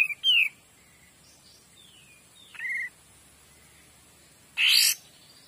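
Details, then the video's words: Kapas tembak, a kept songbird, singing clearly: short slurred whistles, one falling and one sharply rising, then a loud harsh explosive burst near the end. Background otherwise quiet with faint hiss. "KAPAS TEMBAK GACOR DOR"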